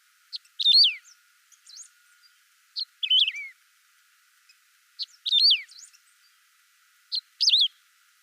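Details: Saffron finch song in a clean recording with no added sound effects: bright chirped phrases with sharp downslurred notes, delivered in short bursts about every two seconds, with faint soft chirps between them and a quiet background.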